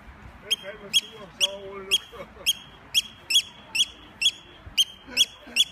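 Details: Eurasian oystercatcher attacking and trying to divert attention gives shrill, piercing 'kleep' alarm notes, about two a second, over a low murmur of a man's voice.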